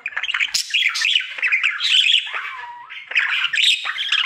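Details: Male pet budgerigar in his daily singing routine: continuous bright, scratchy warbling full of chirps, squeaks and buzzy chatter, with a brief clear whistled note that slides down in the middle.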